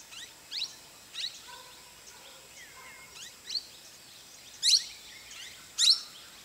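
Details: Common iora (Aegithina tiphia) at a resort in Masinagudi, Mudumalai Tiger Reserve: sharp, high chirps repeated roughly once a second, two louder bursts near the end, with other birds calling faintly and a soft low whistle in the background.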